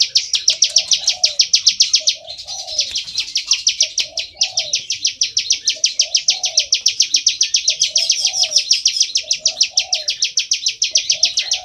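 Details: Ciblek sawah, or bar-winged prinia, in long continuous ngebren song: a rapid, slightly uneven run of harsh chirps, three to four a second, with a brief dip near the second second and recurring soft low coos.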